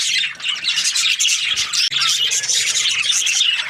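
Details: Constant high chirping from budgerigars in breeding pairs, with harsh squawks and rapid warbling overlapping from many birds, one brief dip near the middle, and a low hum beneath.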